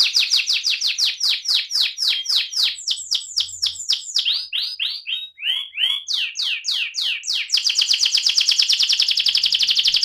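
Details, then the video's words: An AF canary delivers a varied rolling (ngerol) song. Rapid high sweeping notes shift into lower looping phrases, then end in a very fast, even, rattling trill. "kenari AF ngerol"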